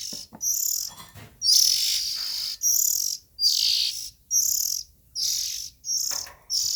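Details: Oriental magpie-robin nestlings giving rasping, hiss-like calls, high-pitched noisy bursts of roughly half a second, repeated about eight times with short pauses, a few faint thin squeaks between them.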